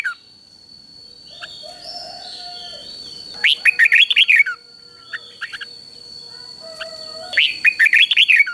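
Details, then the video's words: Caged red-whiskered bulbul giving a three-syllable doubled song, a counting-style line used to train young birds: two bright bursts of rapid chirped notes about a second long, with a steady high tone and softer whistles between them. "เสียงนกกรงหัวจุกเบิ้ลเพลง3พยางค์ทั่วไปง่ายๆ สายนับดอกต้องหัดลูกนก"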